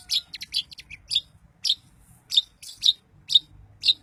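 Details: Song of a long-tailed shrike, played to rouse other shrikes into excited singing: a quick cluster of sharp, high chips, then single emphatic notes spaced about half a second apart.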